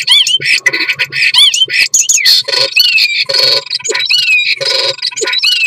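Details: A male common starling's mating song pours out nonstop: wheezy rising and falling whistles, clicks, rattles and squeaky twangs crowded densely together, loud and varied throughout.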